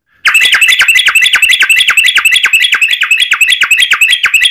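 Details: Yellow-vented bulbul giving a long rapid-fire 'ropel' burst, used to draw other bulbuls into singing. Harsh, buzzy chattering notes are packed tightly together, roughly four every second, holding steady throughout.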